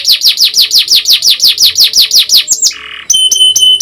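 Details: Canary training song for young birds: a run of about sixteen rhythmic downward-slurred chirps at roughly five per second, a short low buzz, then bright high whistled notes.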